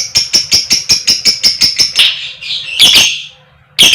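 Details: Female fighter lovebird in koek koek style, calling to draw other lovebirds into song: a rapid chattering train of about eleven high ticking chirps, then harsh rasping squawks.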